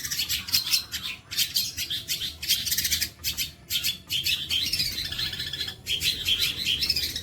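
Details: Long-tailed shrike singing 'bolo panjang' material used to tutor other birds: dense high twittering runs, rapid repeated chirps and swooping whistled notes rising and falling, with brief breaks.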